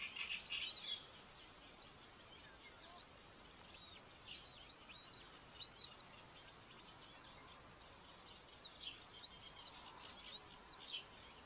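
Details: Common buzzard chick, behaving aggressively at breakfast feeding on a nest in Tiszalök, Hungary, May 5, 2024; a series of thin, high, arched whistles repeated roughly every second, with steady background hiss.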